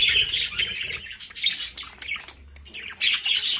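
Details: Budgerigars kept at home in their play area: short squawks and chirps in quick bursts, pausing briefly before a final loud scratchy call.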